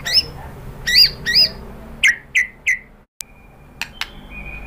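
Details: White-rumped shama used to provoke other birds to sing, giving a few harsh doubled chirps, then three downslurred notes and a brief thin whistle after a short dropout.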